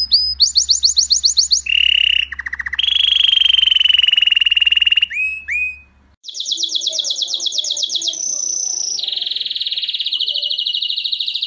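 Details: Belgian canary singing for youngsters to learn from: varied passages of rapid rolling trills, a lower buzzy trill, drawn-out steady tones and brief swoops, with a soft low hum beneath part of it.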